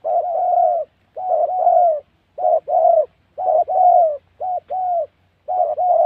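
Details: Spotted dove at a trapping spot in Gia Lai's wild Central Highlands forest, Vietnam, repeating loud two-part coos, a quick note then a longer sliding one, in irregular bursts separated by short silences, with a faint low hum.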